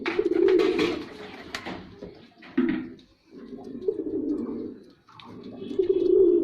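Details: Male white pigeon in a performance display, indoors: deep rumbling coo phrases in four bursts separated by short silences, with a scratchy rustle at the start.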